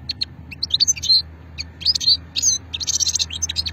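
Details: European goldfinch singing an old-strain song style from Hammam Guergour, Sétif, recorded in 2020: rapid high twittering notes, buzzy trills and short tinkling phrases in quick bursts with brief pauses.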